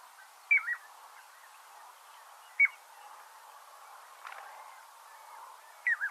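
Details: Piping plover call played back, a two-note high-low peep: three separate clear, whistled, slurred peeps spaced a few seconds apart over soft, low background hiss.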